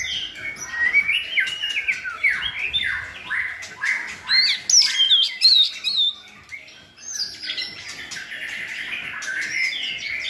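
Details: Tutor white-rumped shamas sing to train a chosen shama to broaden its repertoire; fast sweeping whistles and slurred notes tumble in dense runs, a quieter gap after six seconds, then continuous warbling.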